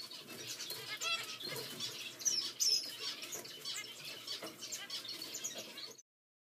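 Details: Zebra finch chicks, Continental CFW and Normal Gray sharing a nest, give a continuous raspy, hissing begging chatter, with a few thin high chirps breaking through.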